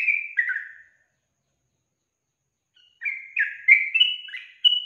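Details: Female Yellow-vented Bulbul song, used to draw males into answering: a quick burst of bubbly, liquid whistled notes, a two-second pause, then a longer chattering run of rising and falling phrases.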